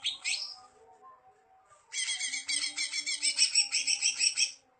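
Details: Greater green leafbird singing: a brief high chirp burst, a pause, then a rapid run of buzzy, chattering high notes repeated about three per second, with faint low hum beneath.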